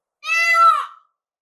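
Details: Peafowl giving a single loud, penetrating cry: a clear, nasal, meow-like wail held for under a second, steady in pitch and then dropping slightly at the end, with no other sounds.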